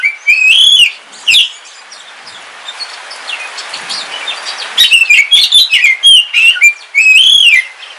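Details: Kacer wulung Kalimantan, a caged oriental magpie-robin kept at home, singing on a rainy day: loud clear whistled phrases with rising and falling slurred notes in bursts, separated by a quieter stretch with soft background hiss of rain.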